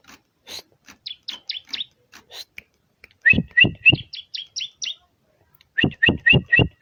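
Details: Bar-winged prinia delivering bursts of bright, sharply bent chirps in quick series, some high and thin, others fuller, separated by brief pauses, with low thuds alongside.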